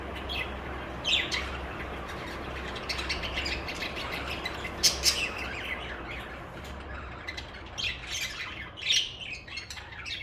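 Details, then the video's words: Pet budgerigars chirping and warbling: scattered short, bright chirps and squawks, with a louder burst near the middle, over a steady low hum. "Most Beautiful Bugies Song | Bugies Singing and Chirping"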